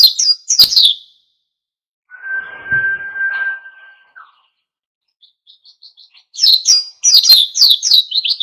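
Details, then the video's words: Energetic wild-style song of an oriental white-eye, used to stir other birds into singing. Bursts of high, rapid twittering open and close the clip, separated by a long steady whistled tone over soft noise. "SUARA PLECI GACOR NGALAS PANCING EMOSI BURUNG LAIN IKUT GACOR"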